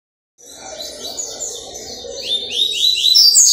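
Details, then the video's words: Double-collared seedeater singing, recorded Wednesday 4 October 2023; starts after a short silence with a fast run of high upslurred whistled notes, repeated several times a second, climbing higher and growing louder toward the end. "coleiro top da poxa"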